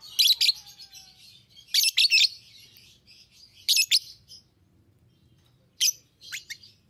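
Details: Fischer's lovebird giving harsh, shrill chattering calls in short bursts of two or three notes every couple of seconds, with a low background hum throughout.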